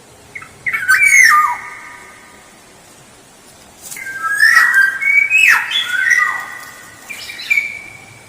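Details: Black-naped oriole song played as a lure: a rich whistled phrase ending in a scratchy slur, a quiet pause, then a longer sequence of rolling fluted notes and harsh downslurs, trailing into one high whistle.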